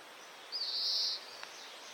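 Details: Oriental greenfinch in Hokkaido, Japan, recorded with a Nikon COOLPIX P950 during the breeding season: a single high, buzzy, drawn-out note of about half a second stands out over a faint steady background hiss.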